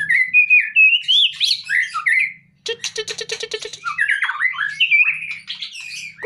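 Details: Male white-rumped shama taken from its cage, singing warbled whistles, a fast rattling series of clicks in the middle, then more varied chattering phrases over a faint low hum.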